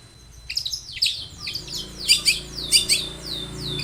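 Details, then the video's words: Long-tailed shrike in vigorous song, played to coax other shrikes into answering: a rapid series of downslurred squeaky whistles and harsh chirps, about two per second, varied and uneven. "SUARA cendet Gacor full varian pancingan cendet agar bunyi"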